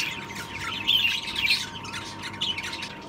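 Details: Pair of two-year-old unproven breeding rosellas in an aviary, a black split to red cinnamon lutino cock and a rubino hen, hoped to raise a first clutch; high, thin chirps and short whistled notes come in bursts over a steady electrical hum.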